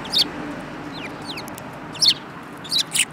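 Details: Several sparrows, including a yellow-beaked one, on 24 February 2018. Loud, clipped chirps arrive in a few bursts, separated by soft downward-sliding peeps, against a low hiss.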